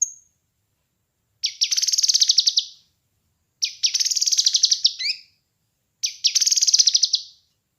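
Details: Kinoi bird song used as a master recording to train and lure birds: three bright, buzzy, rapidly pulsed high phrases, each about a second long, separated by pauses of about two seconds, after a thin opening note.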